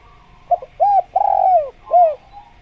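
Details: A spotted dove, locally tekukur, calls in a full phrase: a stuttered short note, a rounded coo, a long wavering coo descending at its end, then one more arched coo.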